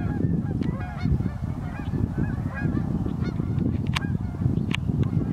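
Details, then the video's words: Geese on the Pend O'Reille River, North Idaho, on a very cold morning: a crowded mix of nasal honks and yelps, with a few sharp clicks near the end, over a low, steady rumble of river noise. "The Song of the Geese II"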